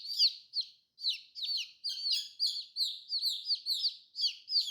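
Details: Newly hatched colorful chicks giving clear, shrill cheeps that drop in pitch, roughly two or three per second, with a short break early on.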